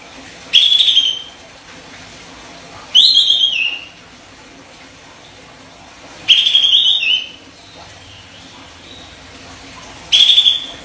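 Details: Olive-winged bulbul master song with tight sharp 'besetan' phrasing: four quick shrill whistled bursts, each a fast trill sliding downward, arriving at uneven gaps of two to four seconds, soft background noise.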